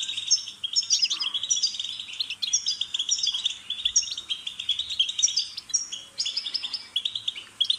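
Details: Lively European goldfinch song meant as stimulation for a pet bird: dense, rippling twittering of rapid chirps and buzzy trills, repeated in jumbled phrases with tiny pauses between them.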